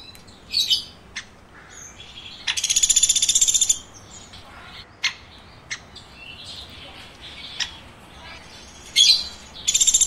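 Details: Chirping woodpecker: brief bursts of high, rasping repeated notes, the longest about a second, separated by scattered isolated clicks and short squeaky calls.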